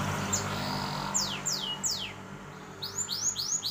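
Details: Hybrid of a canary and a black-throated canary singing high, clear phrases: three quick downward-swept whistles, then a run of rapid rising, arched notes, over a faint indoor hum.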